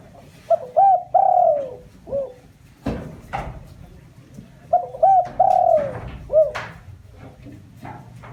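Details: Two full cooing phrases from a spotted dove used as a lure to stir up wild doves. Each phrase has paired short hoots, a long downward-bending coo and a short closing coo. A sharp knock falls between the phrases.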